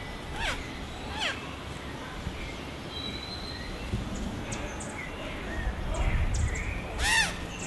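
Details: Nesting oropendolas behind a house in Sabanilla, San José, Costa Rica, 8 April 2017: loud liquid gurgling calls with sweeping notes, one rich burst near the end, amid traffic rumble.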